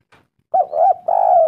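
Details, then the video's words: Spotted dove lure call meant to draw a reply from other doves; a single loud phrase of a short looping coo followed by a longer steady coo, clean background. "Pancingan tekukur gacor sekali putar langsung nyaut suara merdu nyaring"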